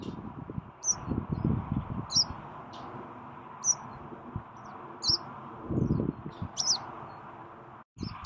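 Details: Western yellow wagtail (Motacilla flava), recorded 12 June 2018, gives thin, high, sharp 'tsweep' calls about every one and a half seconds over a steady low rumble and rustling.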